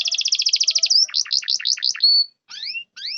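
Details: Canary song played to stimulate silent canaries: a fast, even, high trill, a burst of jerky up-and-down notes, a short sustained whistle, then two separate rising double-toned whistles after brief pauses.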